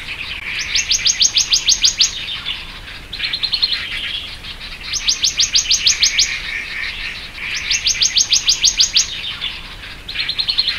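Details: Black-naped monarch (Hypothymis azurea oberholseri) gives quick bursts of about ten high, ringing notes, repeated every few seconds, with softer chattering notes in between.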